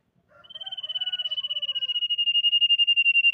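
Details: Common iora song used as a lure to make other ioras sing, said to be a female: a rapid pulsed whistle trill swelling in loudness over three seconds, with softer lower whistled notes beneath its first half.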